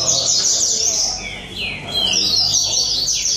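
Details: Rusty-collared seedeaters at a singing competition in São Vicente, giving fast, overlapping high whistled trills and sweeping slurred notes, with several birds singing over one another and faint crowd chatter beneath.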